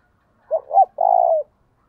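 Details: Spotted dove used as a decoy, in the 'giọng thổ' style, cooing to provoke rivals; a lone phrase of two short rising notes and a prolonged, slightly falling coo.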